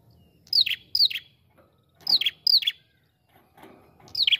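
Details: Ashy prinia, prenjak kepala merah, calling briskly: quick couplets of piercing whistles that slide steeply downward, each pair separated by short pauses, with soft low background rumble.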